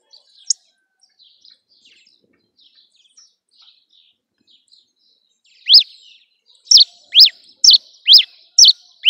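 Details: Cravina from Rio Grande do Norte, Brazil, singing on a hand: a few faint soft chips, then a run of loud, high, sharply slurred notes repeated roughly twice a second.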